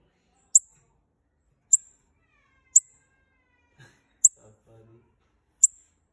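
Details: Bananaquit pair calling to fire up another bird: five thin, piercing high ticks spaced about a second apart, with a soft low clatter near the end.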